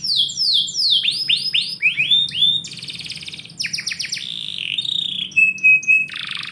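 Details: Caged indoor canary singing in the morning, with repeated downward-swept whistles, a dense buzzy trill, a burst of sharp falling notes, a long steady whistle and a final harsh buzz.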